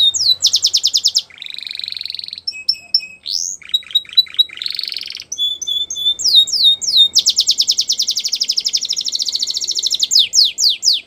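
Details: Canary song played for training young canaries: fast trills of rapid descending sweeps, a buzzy low roll, clear flat whistles and a long bright rolling trill near the end.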